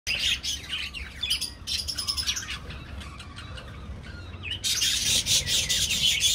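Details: Colony of Australian budgies in an aviary, many birds chattering at once: dense, high chirps and warbles overlapping continuously, swelling louder toward the end, over a low background rumble.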